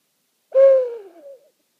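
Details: Loud, clean owl hoot at night in a meadow on Rattenbury Rd, where one owl sits on a nearby branch and another atop a spruce; one sustained low note sinking slowly, with a softer tail.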